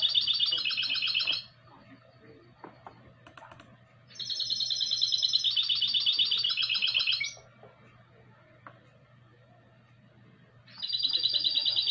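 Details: A goldfinch × canary hybrid, a classic-style singer recorded in 2020, gives three bursts of fast, ringing, high trills, each lasting two to three seconds, separated by quiet pauses with a faint steady hum.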